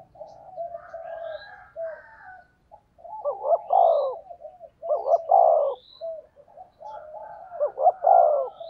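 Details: Spotted dove cooing in the thúc gù style to attract wild doves. Murmured low notes build into three strong, throaty coo phrases about every two seconds, over a light background hum and a few faint high chirps.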